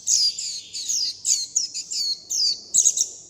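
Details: Young warbling white-eyes begging for food from their mother: a nearly continuous run of bright, high, downward-sliding chirps, about eight in three seconds, ending in a buzzy flutter.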